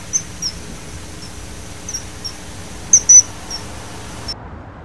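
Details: Common kingfisher uttering thin, sharp, high-pitched peeps at irregular intervals, building to a loud double whistle late in the clip before the sound cuts off.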